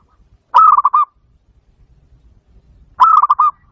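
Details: Zebra dove (bato bato) call, played to lure birds for trapping: two loud bursts of quick staccato cooing notes, each rolled phrase about half a second long, separated by a pause of roughly two seconds.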